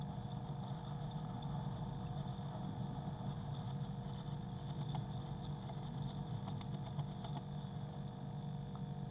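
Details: Eurasian blue tit chicks, six together in a crowded nest box on 22 May 2019. Regular, fast series of tiny high cheeps over a loud steady low hum, with faint rustles later.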